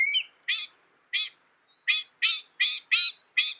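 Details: Northern mockingbird copying other birds, said to hold 200 sounds in its repertoire: a brief warble followed by harsh, broad chattering notes repeated at uneven intervals, about eight in all.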